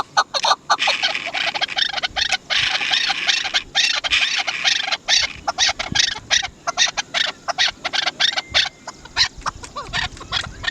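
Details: Chukar partridge giving a dense, harsh series of rapid clucking chak notes, repeated continuously through the clip in rhythmic bursts with short pauses.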